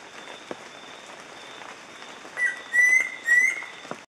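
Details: Near-endemic Yellow-breasted Antpitta (Grallaria flavotincta) at Montezuma in Colombia's Western Andes, 2014, giving three clear, level whistles about half a second apart over a steady forest hiss and a thin high insect-like tone.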